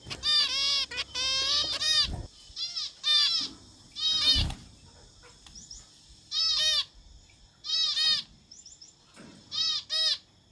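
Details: Zebra finch singing; rapid bursts of nasal, toy-trumpet-like honks at first, then spaced pairs of buzzy harmonic notes every second or so, with two low thumps and faint high twitters.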